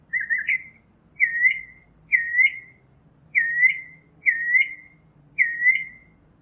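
A northern mockingbird repeats one slurred, scratchy phrase six times, about once a second, at a mid-high pitch. Only a faint low hum lies behind it.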